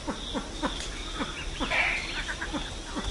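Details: Silver pheasant calling to gather the flock, a clean recording: low, soft clucking notes sliding downward, repeated steadily about three to four times a second, with faint higher chirps and a little background hiss.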